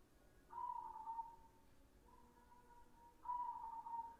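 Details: White, red-eyed perkutut (zebra dove) singing actively: soft, mellow cooing phrases, a wavering whistled coo followed by a fainter one and another, against a hissing background.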